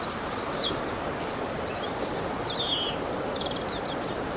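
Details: Male bull-headed shrike copying other birds' calls, recorded 28 March 2015 with a Canon PowerShot SX60 HS: a high downslurred whistle, then a buzzy note and a quick run of soft ticking chips, all against constant background hiss.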